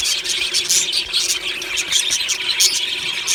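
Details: Budgerigars in an aviary colony singing happily in the morning; dense, continuous high-pitched chirping and warbling from many birds at once, with scratchy squeaks overlapping throughout and no clear pauses.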